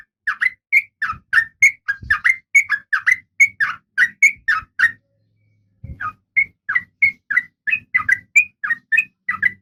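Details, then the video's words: Female oriental magpie-robin in breeding condition calling the male, a cage bird. Evenly spaced clear whistles, about three a second, break briefly and then resume, over faint low rumbling. "Suara Kacer Betina"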